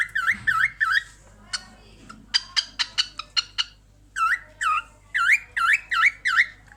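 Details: Pet cockatiel watching herself in a mirror, giving a funny laugh: runs of dipping, V-shaped whistled notes alternating with bursts of short harsh clicking chatter, roughly three sounds a second, in a quiet indoor room.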